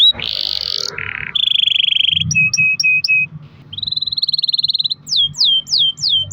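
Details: Canary with a long-roll song aimed at prompting other canaries to sing: harsh buzzy rolls, a low trill, repeated short notes, a high rattling trill, then four loud descending whistled sweeps.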